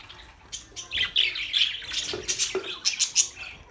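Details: Pet budgerigars chirping: a rapid string of high squeaky chirps and scratchy warbles, a few sharp squawks near the end.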